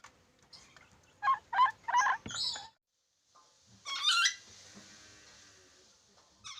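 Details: Black-capped lory giving harsh, raspy squawks in a quick burst of four to five notes, a pause, then a longer grating screech, with a short note at the end.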